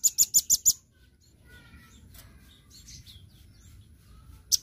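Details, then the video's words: Velvet-fronted nuthatch in 'gacor' masteran singing: five quick, piercing high chips, then several seconds of faint background sounds before one more lone chip at the end. "MASTERAN rambatan paruh merah GACOR full suara harian"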